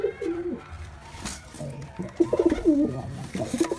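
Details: Male and female pigeons, used to attract pigeons: after a quieter start with a few soft coos, a burst of loud warbling coos comes in the second half, with a brief coo near the end, in a small enclosed space.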